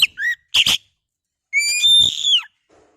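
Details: Oriental magpie-robin (kacer) song, played to provoke singing: quick chirped notes, then a drawn-out, ringing whistle that rises slightly and falls away at the end, followed by silence.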